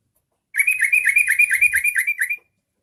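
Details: Yellow-vented bulbul song used to get other bulbuls singing: nearly two seconds of fast, even, bubbly notes at high pitch, with a few soft low thumps partway through.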